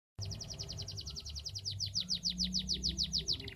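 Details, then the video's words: Canary in full song, meant to stimulate other canaries into singing: a long series of quick, descending whistled notes repeated about three per second, steady and clear over low background hum. "Suara kenari gacor, cocok untuk suara pancingan kenari macet dan malas bunyi!!!"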